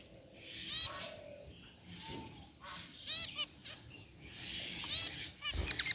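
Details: Aviary zebra finches, including a white one among gray birds, give quieter scattered chirps: brief nasal tooting notes in loose clusters, separated by pauses filled with faint background hiss and occasional knocks.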